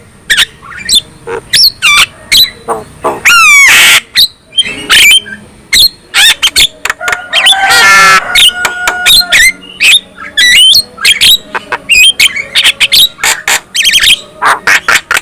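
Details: Long, varied black-winged myna song for provoking rival mynas to sing: sharp clicks, a descending whistled trill, harsh broadband screeches, chattering runs and metallic whistles tumbling irregularly over fifteen seconds.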